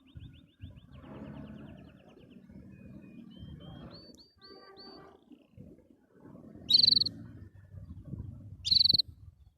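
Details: Canary singing happily: quick rolls of high, evenly repeated notes, a few steady whistled tours at a higher pitch, then two loud, piercing bursts near the end, over a low background rumble.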